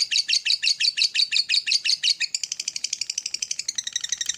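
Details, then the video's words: Lovebird morning trainer sound meant to make other lovebirds trill and chatter; evenly paced chirping notes at first, then a faster, tighter rattling chatter through the last two seconds. "SUARA PEMACU Ini Bikin Love Bird Ngeroll & Ngekek Ganas! (Masteran Pagi Hari"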